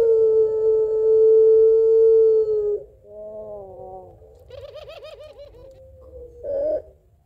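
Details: Long-voiced puter pelung Barbary dove calling its mate: an extended level coo near three seconds, a softer wavering phrase, then a quick, bouncing series of laugh-like notes and a short rough ending.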